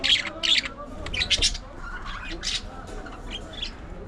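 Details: Aviary colony of budgerigars giving clustered high chirps in quick bursts, then softer scattered chatter and twitters from several birds.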